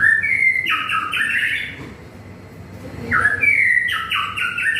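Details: White-rumped shama singing in the afternoon during light drizzle: clear whistled phrases of stepped notes, rising and falling, in two bursts separated by a pause, over a steady hiss of background noise.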